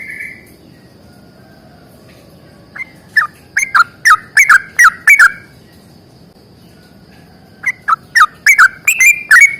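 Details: Sooty-headed bulbul giving a long, rapid fighting song: a brief whistle, a pause, then two bursts of fast, bubbly, chattering notes that drop in pitch, each note edged with sharp clicks over a quiet hiss.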